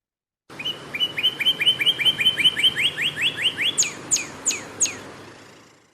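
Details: A Northern Cardinal sings at normal speed a fast series of about a dozen clear upslurred whistles, then four loud, high down-slurred notes, the low and high pitches produced by opposite sides of its syrinx; little else is heard.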